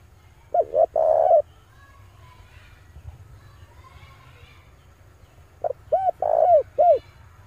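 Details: Male spotted dove used as a lure for wild birds: a cooing phrase of two short notes and a rolling coo, a quieter stretch with faint murmuring, then a phrase of arched notes around a central coo.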